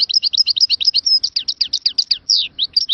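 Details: Algerian goldfinch singing in Moknine, 2022: rapid, unbroken twittering of high, quick chirps and brief trills tumbling one after another, with a faint low murmur beneath.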